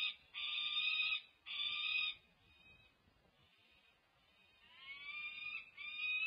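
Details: At the UC Berkeley peregrine falcon nest on 1 June 2024, the male Eclipse drops in while the female Annie feeds the chicks; a peregrine gives harsh, drawn-out wailing calls, two loud bursts, a quieter pause, then rasping cries swell again.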